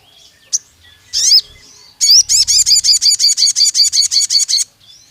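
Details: Sogon, the pied fantail, in an agitated long-shooting phrase: one short chip and a brief swept note, then a steady run of about fifteen loud, high, bouncing squeaky notes at an even pace.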